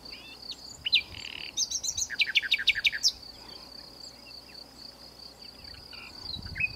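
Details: Common nightingale heard in the south of France: a loud note, a buzzy rattle, then a run of about six evenly spaced sharp strokes, followed by quieter scattered notes and continuous insect hum.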